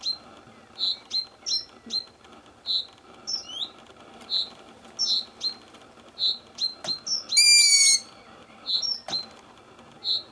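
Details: Young long-eared owl calling in Edinburgh: short, thin, high squeaks repeated about every half second, with a harsher rasping burst midway and a few sharp clicks.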